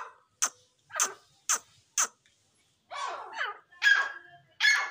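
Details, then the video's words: Grey francolin pair, a local teetar: four sharp, loud, evenly spaced harsh notes, then a pause and several longer, rasping, shrill notes with strong overtones, each about half a second long. "Beautiful joori of dassi Teetar// Teetar ke awaz"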